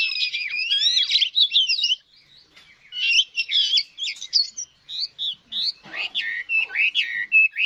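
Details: Chinese hwamei, wild-caught and mature, recorded in 2024: bursts of high, intricate twittering and warbled whistles, a brief pause after two seconds, then choppy varied phrases resuming with scratchy notes.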